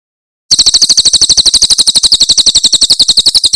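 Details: Javan prinia singing a Tembakan Cililin song, used to tutor caged birds: after a brief silent lead-in, an unbroken volley of shrill, evenly paced high chips, about four per second, lasting around three seconds.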